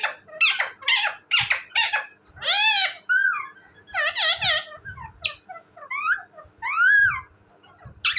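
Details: Talking parrot giving a dense series of harsh chattering syllables, a long meow-like wail and several arching whistled and squawked calls.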